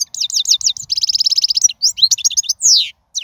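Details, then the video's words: Wild European goldfinch in full song, the sort used to tutor young birds: rapid liquid twitters, then a fast buzzy trill, scattered tinkling notes and a long descending slurred whistle. "من أقوى اغاني | طائر الحسون | البرية"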